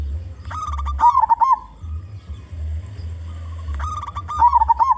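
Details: Big-voiced local zebra dove singing actively as a lure for its own kind: clipped coo notes leading into a wavering, trilled coo, heard twice, with a constant low hum beneath.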